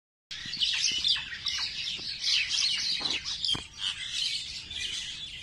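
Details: Birds calling in Nondibari, Bangladesh: a dense, overlapping chorus of high chirps and twitters from many birds, continuous throughout, with faint low background noise.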